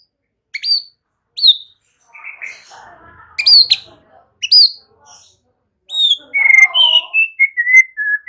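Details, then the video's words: Song of a white-rumped shama, played to encourage young birds to sing: clear high whistled notes and sharp upswept chips, then a run of descending whistled phrases at the end. "Pancingan murai BAKALAN Agar ikutan NGEPLONG GACOR dengan CEPAT"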